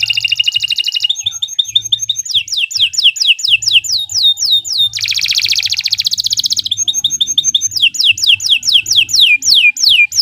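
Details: Long master song of a canary used for training other birds: dense high trills, downslurred whistles, a loud buzzy rolling section, then repeated falling whistled notes to the end.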